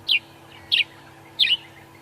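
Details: Grey-headed sparrow, hidden in a deep thicket on an African safari drive at sunrise, one of the first morning calls, gives three short, high chirps about a second apart over a faint low hum.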